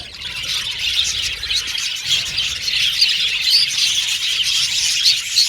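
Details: Violet male budgerigars in a colony aviary, squawking and chirping in a rapid jumble of shrill notes, with several clear rising whistles cutting through the constant chatter.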